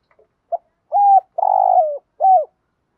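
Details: Spotted dove decoy bird giving urging coos meant to provoke wild doves: a short note, then several loud, low, hollow coos, one long and slightly wavering, in a quiet setting.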